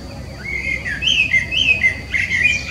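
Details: Melodious common blackbird song: clear, fluted whistled phrases, low and mellow, each slurring up and down, given in a rapid sequence of about five notes.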